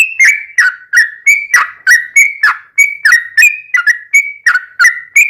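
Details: Yellow-vented bulbul song used as a lure to make captive birds sing back: rapid bubbly whistled phrases, each a short rich burst with a falling note, repeated about three times a second in a lively continuous run.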